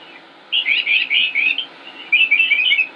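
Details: Springtime song of a northern mockingbird from North Carolina, United States: two bursts of warbled, slurred high notes run together, each lasting about a second, over faint background hiss.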